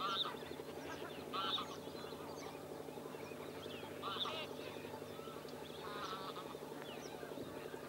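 Indian roller giving short, harsh, nasal calls about every two seconds, over a steady low mechanical hum.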